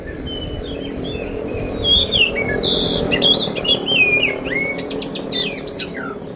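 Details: Oriental magpie-robin kept in a cage in Magelang, Central Java, Indonesia, prepared for song contests, delivering a rough-filled song of bright whistles, buzzy bursts and quick chips over a faint background hum.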